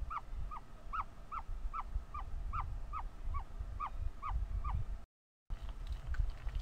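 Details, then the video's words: Ostrich chick vocalizing while hatching from its egg; steady run of arched peeps, roughly three per second, then a brief gap and faint later sounds over low background rumble. "Very Vocal as he hatches"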